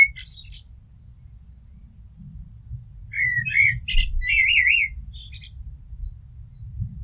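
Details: Common blackbird (Turdus merula) singing: a brief high note at the start, then after a pause a run of warbled, fluting phrases with rapid twisting notes near the middle, mixed with thin higher twitters; faint low rumble beneath throughout.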